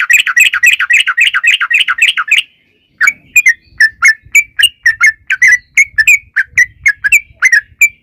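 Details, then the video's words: Yellow-vented bulbul giving a long rapid 'ropel panjang' song played as a lure for bulbuls. A fast, dense run of bubbly notes breaks off briefly, then resumes as steady, slightly slower separate notes. "trucukan gacor NGALAS ROPEL PANJANG pancingan trucukan agar bunyi"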